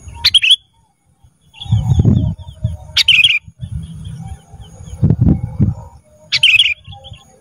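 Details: Black-crested bulbul in a recording meant to train cage birds: three short whistled chirping phrases spaced a few seconds apart over low rumbling and knocking noises.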